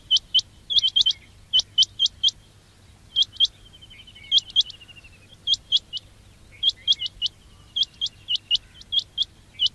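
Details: Quail calling, meant as a trapping lure: crisp high upswept chirps in short clusters, separated by pauses, with a faint trilled note running underneath midway.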